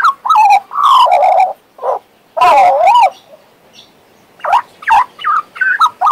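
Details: Pet Western Australian magpie warbling and whistling: loud harmonic notes sliding and wavering around mid pitch, a long rippling phrase in the middle, then a run of short chopped notes.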